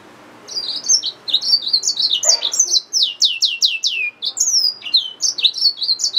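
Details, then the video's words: Yellow-fronted canary mule, hybrid finch, singing a lively sequence: high chirps, then a series of repeated downswept notes, a long descending whistle, and more quick varied notes. "Yellowfronted canary mule | Hybrid Finch | Nature Bird sounds"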